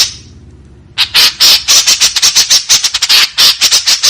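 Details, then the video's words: Sudden fast barrage of harsh, buzzy notes from a white-breasted woodswallow in the rough 'tembakan kasar' manner. The notes are packed closely, roughly three or four each second, after a quiet start. "SUARA BURUNG KEKEPBABI TEMBAKAN KASAR"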